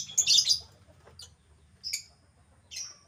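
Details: Albino lovebird kept as a cage bird, giving short harsh high chirps in three separate bursts, the first loudest, with faint low hum behind.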